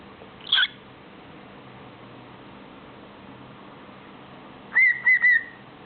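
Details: A male cockatiel that talks and sings gives a sharp high chirp, then a quick run of three whistled, speech-like syllables; he often says "good boy" to himself.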